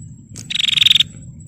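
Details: One buzzy, chattering rattle of a female bar-winged prinia used to provoke males, a quick burst of about a dozen pulses lasting half a second, a faint high insect hum underneath.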